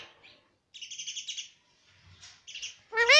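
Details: Pet parrot talking nonstop, saying mummy and papa: soft chattering syllables in short bursts, a quick run of buzzy notes, then a loud, harsh rising call with rich overtones at the end.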